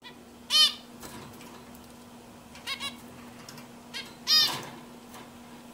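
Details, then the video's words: Zebra finch giving three short, nasal, harmonic-rich calls spaced about two seconds apart, each a bright stacked note, over a steady low electrical hum and quiet background. "zebra finch singing"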